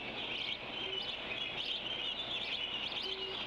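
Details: Bald eagles at the Decorah N2B nest, 09:46: chicks D25 and D24 feed as Dad, panting from the effort, brings in a squirrel. Thin, high chittering chirps come in short repeated bursts over steady hiss.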